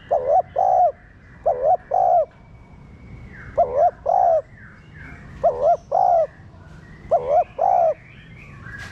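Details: Spotted dove giving its urging coo to stimulate captive birds: a run of two-note phrases, a wavering note then a level sustained one, about every two seconds, with faint higher bird chirps behind.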